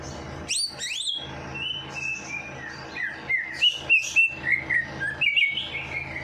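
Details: Bird song used to stimulate a lazy bird after its night bath; high sweeping whistles followed by a quick series of clear whistled notes in an uneven rhythm.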